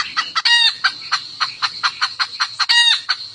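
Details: A hen calls to the rooster with quick, evenly spaced staccato clucks and two longer, raspy squawks in between, all loud and close, over a continuous shrill insect drone.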